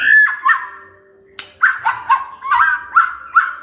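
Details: White-rumped shama from Medan giving a run of short whistled notes, each sliding down and bending back, repeated about seven times in under four seconds, with one sharp click-like snap before the series.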